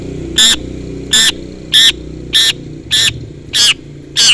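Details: Long-tailed shrike calling to a rival: harsh, buzzy broadband notes repeated about every 0.6 seconds, over a steady low hum in the background.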